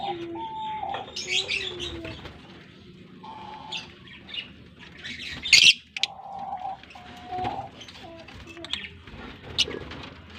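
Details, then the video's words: African lovebirds in a colony breeding setup in Larkana, giving sharp high chirps and squawks in irregular bursts, mixed with steady mid-pitched whistled tones and a faint background hum. "African Love Birds colony Breeding Setup and beautiful chirping sound voice"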